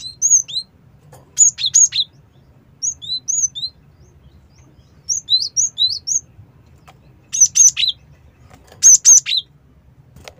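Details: Cinereous tit, recorded as a bird lure, giving high clipped whistled notes, some in pairs of slurred rising chirps, others in quick three-note bursts, about a dozen phrases with short pauses and a steady low background hum.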